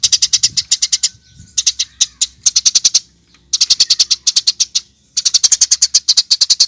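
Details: Eurasian tree sparrow chirps used to make birds sing: long, busy series of loud, high, rapid notes in rhythmic blocks, separated by short quiet spells with a few faint soft calls.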